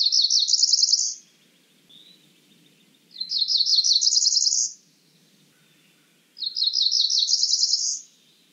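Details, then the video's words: Three repeats of a Cerulean warbler's high buzzy phrase, each a fast series of notes stepping upward and ending in a thin trill, separated by pauses of about two seconds. "Cerulean warbler Calling."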